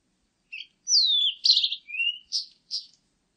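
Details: Blue-and-white flycatcher singing a varied phrase: a short high note, a long sweeping whistle sliding down, a burry warbled section, a rising thin whistle, then two short buzzy high notes, all against a silent background.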